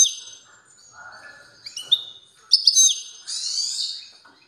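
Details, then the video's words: Strong European goldfinch song: high, varied twittering with slurred whistles and clicking chirps, building to a loud, dense buzzy trill near the end. "تغريد قوي لطائر الموقنين"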